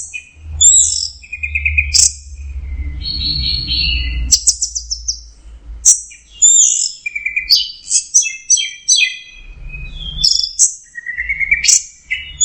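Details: Long teler-style song of an orange-headed thrush: rich, fast-changing whistles, trills and rapid staccato note series, loud and continuous, with occasional low thuds.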